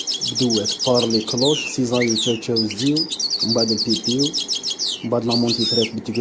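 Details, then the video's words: Authentic Algerian European goldfinch of the qadousi song style, singing a fast, varied string of high twittering and trilled notes with buzzy slides, while a man talks continuously in Arabic over it. "تغريد الحسون القادوسي الجزائري الاصيل"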